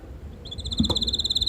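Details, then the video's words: Red canary singing in a garden, tame and hand-raised: a brief fast trill of evenly repeated high notes, with a soft low thump in the background. "手のり赤カナリア鳴き声 囀り🐥Hand-Ride Red Canary Bird Siinging"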